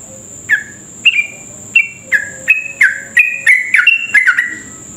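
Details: Sooty-headed bulbul in vigorous long song, played to provoke other bulbuls into rapid singing: bubbly falling whistled notes, spaced at first and then tumbling faster together, with a continuous high whine in the background.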